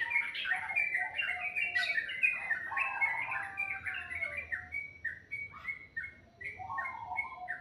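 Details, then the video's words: Very melodious birdsong at morning time: a continuous bright twittering of quick chirps and whistles, dense at first and then thinning into sparser repeated notes. "Suara burung dipagi hari sangat merdu"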